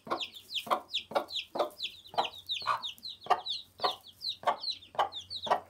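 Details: A group of one-day-old chicks peeps continuously, with thin high chirps sliding downward and crowding together, set against regular soft thudding pulses roughly every half second and a low background hum.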